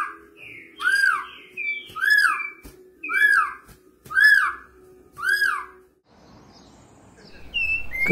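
Campo Troupial singing rich, fluty whistles: five slurred, arching phrases about one per second, over a low steady hum, ending in brief rustling noise.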